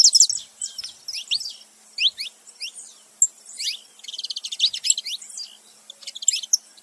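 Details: Pair of saffron finches, male with female, calling: spaced high downslurred chirps, then a fast trilled rattle of short notes near the middle, followed by more sharp single chirps.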